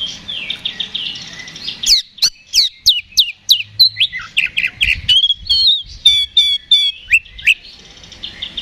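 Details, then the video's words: Oriental magpie-robin singing loudly in fighting mode, used as a lure to provoke a response: a fast run of sharp, steeply falling notes and twittered trills, about three per second, with softer chatter from other birds before and after. "KACER GACOR NGEPLONG TARUNG !! PANCINGAN KACER PALING AMPUH BUAT MENAIKAN EMOSI KACER AUTO RESPON"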